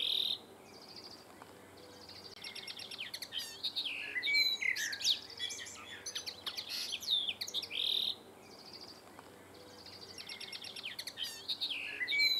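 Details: A male common linnet, in town in July on a slightly swaying wire fence, sings a fast, twittering jumble of trills, buzzy notes and clear whistles in bursts of a few seconds, over faint background hiss.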